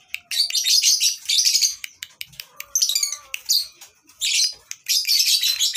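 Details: Lovebird chorus at a breeding farm, played to tutor birds that stopped singing: bursts of raspy, high-pitched twittering alternate with quick chips, and a few thin whistled notes sound below.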